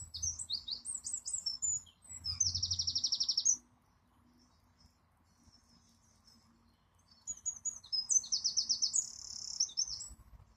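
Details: Wren singing: two loud bursts of high, rapid song, each with tumbling notes running into a fast rattling trill, separated by a few quiet seconds.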